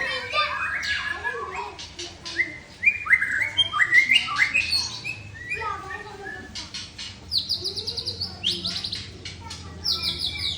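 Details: White-rumped shama, a long-tailed bird, delivering a long song phrase in one breath: rich varied whistles, rising and falling notes, then rapid high repeated chips and buzzy trills, with faint voices in the background.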